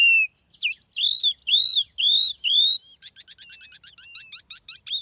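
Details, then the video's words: Laughingthrush lure song, clean recording: several loud drawn-out arched whistles, each nearly half a second long, followed by a quick even series of short high chirps. "TIẾNG CHIM TIỂU MI MỒI"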